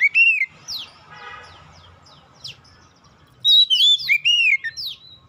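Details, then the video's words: Lure song of an oriental magpie-robin, meant to get untrained birds singing fast: opening whistled phrase, scattered thin downslurred chips over faint background rumble, then a burst of rapid clear whistles and falling sweeps. "PANCINGAN Kacer bahan cepat gacor"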